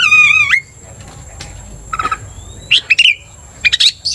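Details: Oriental magpie-robin singing vigorously, a 'gacor' bird used to provoke other magpie-robins into aggression: a loud looping whistle opens, then short buzzy and chirped bursts after pauses, with a steady high electronic tone throughout.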